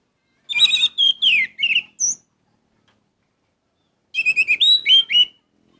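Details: Orange-headed thrush singing lively: two bursts of quick, varied notes, each with sliding whistles and scratchy trills falling in pitch, the first ending on a high thin whistle, separated by a two-second pause.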